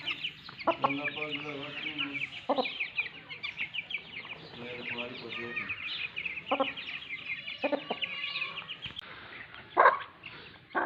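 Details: Lasani breed mother hen calling her chicks: bursts of low, rapid clucking in short runs, with a constant chorus of thin high peeping from the chicks and a few knocks.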